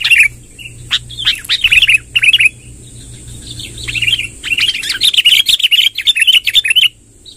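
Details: Long rolling sooty-headed bulbul song, from a vigorous singer played to gather wild birds: bubbly phrases early, a quieter stretch, then a dense two-second rush of chattering, rolling notes, with a steady thin high whine.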